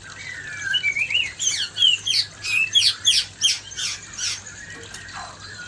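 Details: Male white-rumped shama confronting a fierce female to raise breeding urge: soft whistle, then a run of high scratchy and squawky notes about three per second, fading to quiet, low hum.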